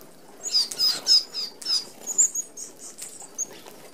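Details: A flock of Australian red-browed finches at a mesh-fronted open aviary feeder gives short, high, thin whistled notes in quick bursts, mixed with a whir of wingbeats and scratchy feeding noises.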